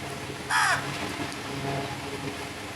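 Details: Crow uttering one loud, rough, nasal caw early on, then quieter outdoor background with a low steady hum.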